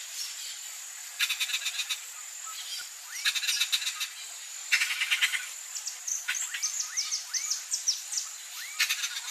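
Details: Feeding of a wild turquoise-fronted amazon chick by its mother, with three loud runs of quick, grating, rhythmic pulses. Brief rising whistles from other birds and a continuous high-pitched insect buzz are heard throughout.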